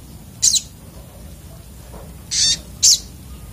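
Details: Raging sunbird (sogok otong) song: one shrill high burst, silence, then two more harsh, buzzy, very high bursts close together near the end, over a faint hiss.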